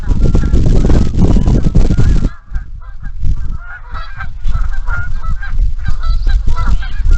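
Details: Many geese and ducks on the marsh at Iroquois National Wildlife Refuge in the morning, picked up by a Bald Eagle camera: a loud rumbling blast for two seconds, then a dense chorus of overlapping nasal honks and calls.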